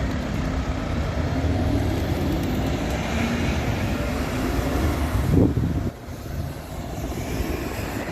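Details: Loud vehicle or train rumble throughout, a brief swell near five seconds, then a sudden drop in level, with no animal voices.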